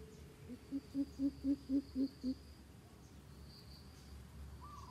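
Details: Coucal giving a run of seven deep, hollow hoots, about four each second, the first ones softer and rising slightly, over a steady high insect buzz and faint background hiss.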